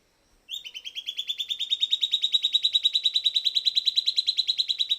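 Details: Silvered antbird singing after playback of pre-recorded sound: a long, rapid, even trill of sharp repeated notes, about ten per second, starting slightly lower, then steady and high-pitched, growing louder for over four seconds.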